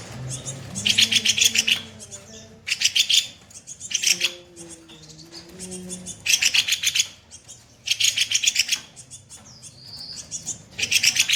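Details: Kopi-kopi songbird singing harshly in the 'tembakan kasar' style, recorded as a master for training other songbirds: rapid, rough, buzzy rattling bursts about a second long, separated by short pauses, with a faint low hum beneath.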